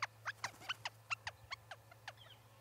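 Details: Small birds visiting the Charlo, Montana osprey nest on October 8, 2017: a quick string of about eleven short, sharp chip notes, each sweeping downward, roughly four per second, over a low steady hum.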